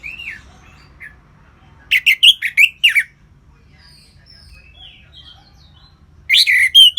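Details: An orange-headed thrush sings in ngeplong style, a falling whistle then a burst of loud sharp chattering notes, a pause with faint high whistles, and another loud chattering burst.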